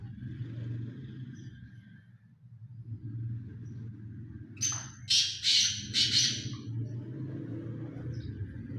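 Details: Black francolin giving a grating run of four rasping, broadband notes about half a second apart, heard over a steady low rumbling background like engine noise.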